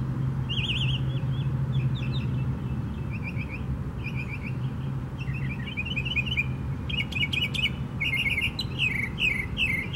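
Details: Northern mockingbird singing at Tattnall Square Park on May 11, 2015: a lively run of varied chirpy, warbled phrases, each repeated a few times before switching to a new one, over a constant low rumble of traffic.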